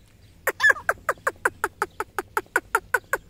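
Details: Black francolin during a fight, giving a rapid series of harsh, clipped notes repeated about five times a second, one louder rasping burst near the start, with laughter around.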